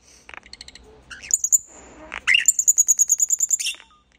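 A common starling sings a jumbled mix of clicks, a short buzzy whistle, then a fast, high rattling series of about a dozen even notes.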